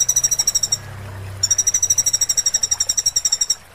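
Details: Sunbird song for training caged birds: very high, rapid trills of even pulses, a burst, a short pause, then a longer run of about two seconds, over a faint low hum.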